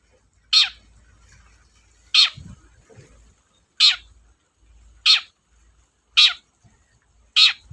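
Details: Lure recording of a Long-tailed shrike meant to stimulate reluctant singers: six short, harsh, downward-sweeping screeches spaced about one to one and a half seconds apart, with faint low thumps between.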